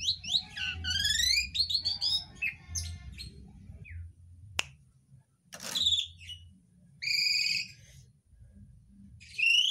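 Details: Asian pied starling singing a rapid, varied medley of whistles, chattering trills and harsh notes, mixing in copied calls of other birds such as cucak ijo, kacer and trucuk, over a low background rumble.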